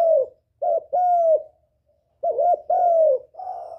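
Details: A spotted dove calls to attract a male. Paired coos, a short bent note then a longer falling one, come in two groups, and a softer trailing coo ends the sequence against a quiet background.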